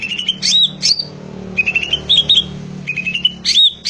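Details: Greater green leafbird singing gacor, full and steady: dense bright phrases of quick whistles, clicks and slurred upward notes follow one another almost without gaps, over a low steady hum.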